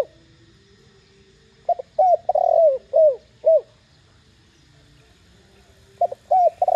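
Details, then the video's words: Spotted dove calling in the clear 'thổ đồng' style to incite other doves to coo back. One complete phrase of five hollow, downward-bending coos, then another phrase begins after a quiet gap. "Tiếng cu gáy THỔ ĐỒNG âm To Rõ kích bổi nhanh nổi.Cu gáy GÁY GỌI kích bổi gáy ngay."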